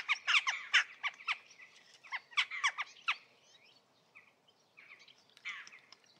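Jackdaws give short, sharp 'tchak' calls in quick bursts, often overlapping as if several birds call together, with a quieter chattering spell in between.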